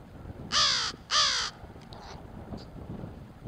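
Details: Crows recorded on 04-17-24: two loud, harsh caws about half a second apart, each a rough buzzy note with a slightly falling tone, followed by faint distant bird notes and low background rumble.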